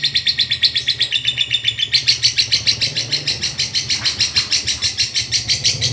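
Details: Long chattering ngekek song of a lovebird, from a training recording: fast, regular, piercing buzzy notes that become broader and louder after two seconds, over a low background hum.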